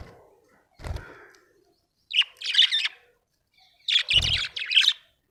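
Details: Cheerful budgerigar chirping in loud, harsh, scratchy bursts of rapid high notes, two main runs about a second apart, after a softer opening warble and a dull thump.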